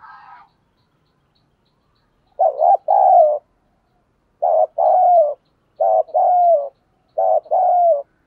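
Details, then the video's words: Spotted dove in thổ sấm voice style cooing to coax a newly caught bird into calling; after a brief higher note, four rapid two-part phrases about every one and a half seconds, wavering then long and descending. "cu gay kich boi nhanh noi hàng ngày mở lên là bổi gáy"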